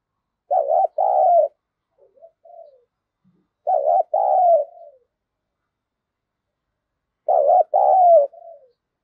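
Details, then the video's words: A decoy spotted dove calls to bring in wild birds: three spaced two-part coo phrases about every 3.5 seconds, each a quavering short note and a longer note trailing downward, with soft low coos after the first. "Chim Cu Mồi Thúc Gù + Gáy Gọi"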